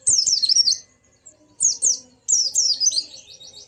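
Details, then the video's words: White-eye song, used to prompt a silent caged white-eye into singing: rapid, very high twittering phrases with quick rising and falling slurs, three bursts separated by short pauses, the last ending in a fast repeated trill. "Burung Pleci macet pasti langsung ikut ngalas dan buka paruh"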